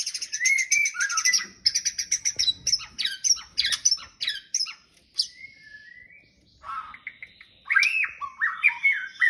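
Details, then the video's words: Male white-rumped shama courting a female; a loud, varied song of rapid chattering bursts and buzzy trills, then a short pause and rich slurred whistles rising and falling, phrases tumbling quickly one after another. "Murai jantan merayu betina"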